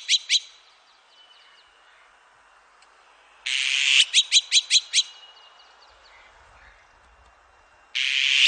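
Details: Azure-winged magpie: two sharp notes open, then after a quiet stretch a loud grating rasp runs into five or six rapid clipped notes, and a final harsh rasp closes the sequence.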